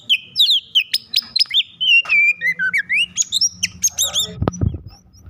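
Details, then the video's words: Oriental magpie-robin in an agitated state, its song used to coax other magpie-robins into singing; a run of short sliding whistles and clicks, rising and falling in quick succession, ending with a low thump. "Kacer over emosi cocok untuk memancing Kacer lain agar bunyi dan gacor"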